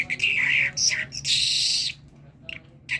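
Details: Talking common myna, known locally as the Kerman tarqe, gives a bright whistled phrase, then short chirps and a long harsh, hissing burst, followed by quieter scattered notes.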